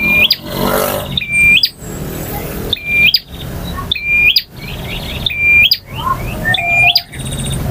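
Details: Male bar-winged prinia singing a long, full-variation song in the ngotot, ngalun and kristal styles: a buzzy trill that breaks into a thin whistled note and ends with a sharp snap, repeated about every 1.3 seconds, with a low background rumble.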